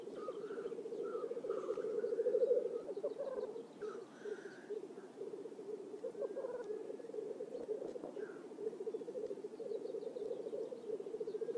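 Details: Courtship display of black grouse in a swamp at Oulu, Finland, in early May. Overlapping males give a rapid, throbbing bubbling that swells near two seconds, with scattered hoarse hissing notes and soft chirps above.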